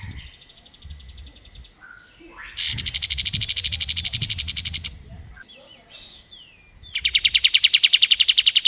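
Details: Plain-throated sunbird (kapas tembak) in full song, kept for training songbirds: soft twitters, a loud rapid buzzy trill, a few short slurred whistles, then another fast trill.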